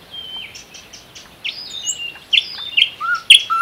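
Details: Nightingale song from the Unzha river floodplain or Kologrivsky Forest reserve: soft, varied high whistles and slurred notes, building to a few louder sharp chirps and a low whistled ending, against a faint hiss.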